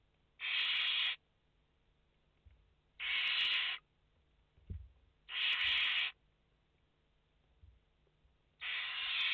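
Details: Barn owl chicks, five in the nest on 29 August 2021, give four grating hiss calls spaced about two and a half seconds apart, with a soft thud midway.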